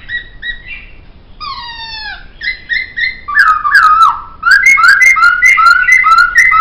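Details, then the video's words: Poksay singing, recorded as training material for songbirds: soft pulsed notes and a downslurred buzz, then a loud run of slurred whistles repeated about twice a second, each opening with a sharp click. "Masteran Suara Poksay"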